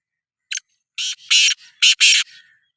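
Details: Black francolin, the Sindhi kala teetar, giving a loud, harsh, grating call: a short scratchy note, then four broad raspy bursts, alternating longer and shorter, in a clear rhythm, with no other sound.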